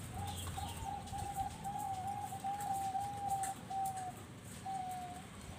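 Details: Zebra dove of the Bangkok type at a breeding farm in Bekasi, West Java, Indonesia, in manggung gacor singing: a long, even, rolling coo trill held for several seconds, softer and partly masked by a low rumbling background.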